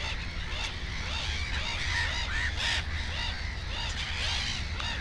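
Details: Black-headed gull at the nest with two chicks; grating, nasal cries follow one another quickly among overlapping calls from other gulls, over a low steady hum.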